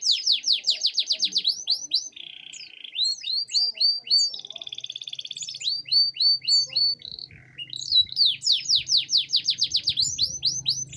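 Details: Canary song suited as a tutor for training other birds: long, fast trills of high sweeping notes, broken by buzzy rattling rolls, with faint low hum and some background sounds.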